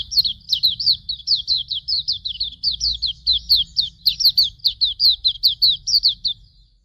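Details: Hume's white-eye training song: nearly seven seconds of continuous, evenly paced high whistles, each note sliding downward, about four per second, with a soft low rumble in the background.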